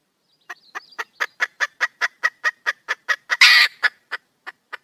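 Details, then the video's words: Wild female red junglefowl calling for a male: a steady run of short, clucking notes about five per second, broken near the end by one loud, harsh, rasping squawk before the clucks resume. "le bruit d'une poule sauvage,เสียงไก่ป่าร้องหาถู่หาตัวผู้,ສຽງໄກ່ປ່າຮ້ອງຫາຄູ່ຮັກ, poj qaib qus see"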